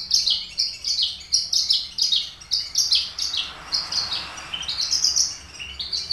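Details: Singing vigorously in a cage, a Papuan Horsfield's bush lark of race aliena, trained on finch songs, gives dense bursts of very high chirps and buzzy trills, one after another with barely a pause.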